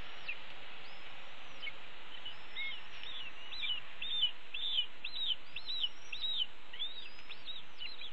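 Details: Wild red-tailed hawk nestlings beg loudly at a nest on a morning in late May 2013 while their mother delivers a pigeon and feeds them. A rapid run of high, arched whistles slurs up then down, nearly two per second, over constant hiss.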